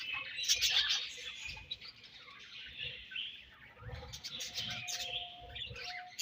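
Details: Budgerigars chirp during feeding and food exchange: a steady run of high, rapid twittering notes and warbles, several birds calling together, faint low knocks underneath.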